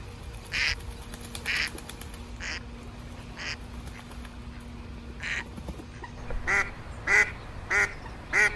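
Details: Duck quacking in a pond, a duckling mentioned: scattered rough bursts first, then four clear, ringing nasal quacks in quick succession near the end, with a faint steady hum underneath.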